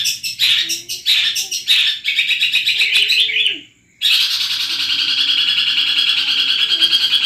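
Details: Madura long-tailed shrike of the Peterpan type performing Armagedon material: loud scratchy chatter runs into a buzzing trill that fades out, then resumes after a short silence as a sustained, dense, rattling high trill.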